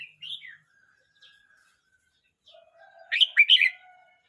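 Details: A Red-whiskered bulbul aged 12 months 29 days gives a soft opening chirp, a faint thin whistle, then a loud, rich burst of slurred warbling notes near the end, with quiet background.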